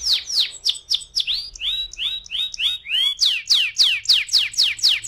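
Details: Canary 'ngeroll' lure song: varied high downsweeps, then a run of arching upswept notes, ending in loud, evenly spaced descending notes repeated about four times a second.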